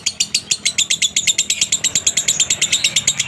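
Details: Lovebird singing in the konslet minor style with a dry tone, used to provoke other lovebirds into song: sharp, high chirps fired in a fast, even train of about seven per second, with a faint low hum behind.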